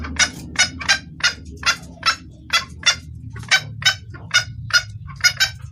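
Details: Female red junglefowl, clear-voiced, calling a male as a lure sound: about fourteen evenly spaced, crisp clucking notes, roughly two per second, over a low background hum.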